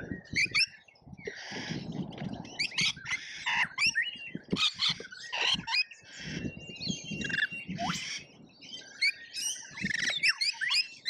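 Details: Colourful lorikeets in a feeding frenzy at an Australian feeder: continuous overlapping harsh squawks and shrill chirps from many birds, with low scuffling noises throughout.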